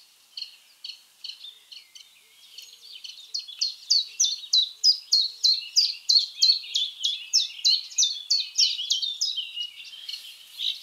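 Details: Common Chiffchaff singing a long, steady series of high, sharp descending notes, about three per second. The series grows louder after a quieter, more irregular start.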